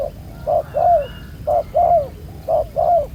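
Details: Spotted dove, a wild-caught male with a black-spotted neck collar, cooing at a trap beside a decoy: low, soft paired coos, each a short note then a longer falling one, repeated about three times.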